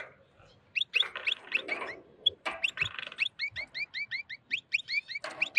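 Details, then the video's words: Wild European goldfinch, excited, singing strongly while mating with a white female canary: a twittering run of buzzy chirps and trills, then a quick series of clear rising notes repeated about four times per second, ending in a dense buzzy burst. "الحسون الخلوي يتزاوج مع انثى الكناري بيضاء هيجان و تغريد قوي"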